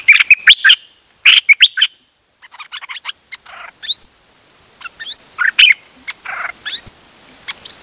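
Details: Busy stretch of high birdsong recorded 8 September 2023 at a pied fantail, mixing sharp chips, short bursts of twittering and several thin, fast upward-sweeping whistles, repeated irregularly with small pauses.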